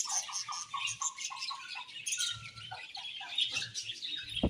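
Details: Budgie chatter with a string of short repeated mid-pitched chirps under a wash of higher warbling, ending in a sharp click.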